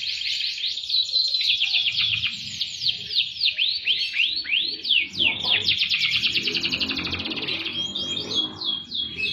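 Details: Canary in full, vigorous gacor song with a melodious cengkok style; high, bright notes delivered as rapid rolls and repeated down-curving sweeps, several per second, running almost continuously with a faint low background rumble.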